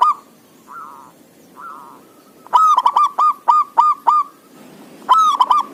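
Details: Zebra dove singing briskly, recorded to stir idle doves into song: three soft drawn-out notes, then a loud stuttered burst and a steady row of clipped hooked notes, with another loud phrase at the end.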